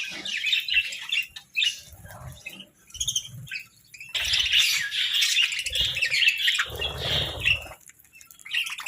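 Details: Sunbathing budgerigars with scattered squawky chirps at first, then a longer run of raspy, high warbling chatter, with thumps and rustling underneath.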